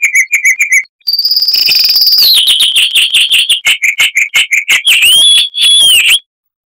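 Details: Crystal-clear song of a Chestnut-vented warbler, Sylvia subcaerulea: quick chirps, then a sustained high buzzy trill that drops into rapid ringing notes and ends with looping whistled slurs.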